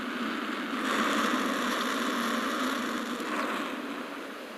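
Turkey vulture giving a low, breathy hiss, a steady rush of air that swells after the first second and fades slightly toward the end.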